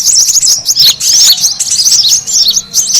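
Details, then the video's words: Lure call of brown-throated sunbirds for pulling in other birds: quick, shrill, looping chirps tumble over one another in short bursts, separated by tiny pauses. "SUARA PIKAT KORLAP RIBUT"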